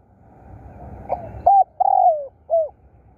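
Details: Spotted dove decoy bird cooing over a soft low hum: a faint opening note, then a clipped coo, a long gently falling coo and a short final coo, all low and mellow.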